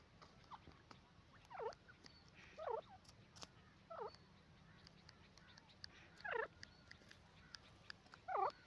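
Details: Grey francolin pair: harsh, swooping notes repeated roughly every second or two, growing louder toward the end, with faint clicks in the background.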